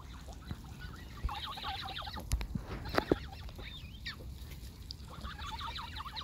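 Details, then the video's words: Young Canada geese gathered close around the recordist: a chorus of high, wavering peeps from several goslings, rising and falling in quick overlapping bursts, with a pause midway, a few sharp clicks, and a steady low rumble underneath. "I got young Canada Geese Around Me"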